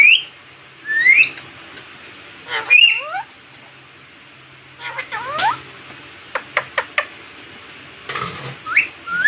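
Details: Talking Indian ringneck parakeet before a mirror, producing scattered high rising whistled syllables and buzzy speech-like phrases separated by pauses, with a short burst of sharp clicks near the end.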